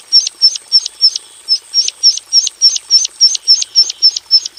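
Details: Javan bush lark in a simple aviary repeating a crisp high two-part note, a slurred whistle joined to a sharp upward stroke, very regularly about three times a second.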